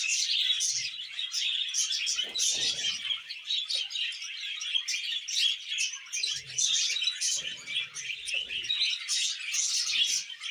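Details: Mating and breeding budgerigars keep up unbroken high-pitched warbling, with scratchy chirps and squeaky notes tumbling over one another and occasional soft low thumps.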